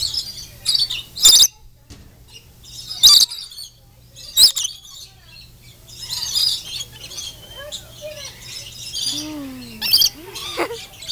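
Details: Lorikeets at the Denver Zoo, being fed nectar, give harsh, high screeches in short irregular bursts, mixed with softer chattering and a few lower whistled notes near the end.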